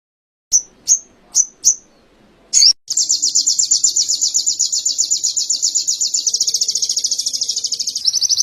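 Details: Canary song material from an Indonesian training recording for cage birds: four sharp high whistled notes dropping in pitch, a brief burst, then a long, fast, even high trill that continues to the end.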